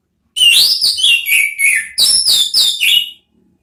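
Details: Chattering ngeriwik-style song of an orange-headed thrush (anis merah), used as a lure and therapy recording: loud, high, sliding whistled notes with fast twittering, in short bursts separated by brief pauses, with no other sounds.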